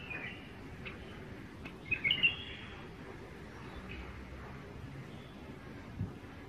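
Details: Tame female bulbul kept as a pet, a single quick burst of bright whistled notes standing out over a noisy, humming background.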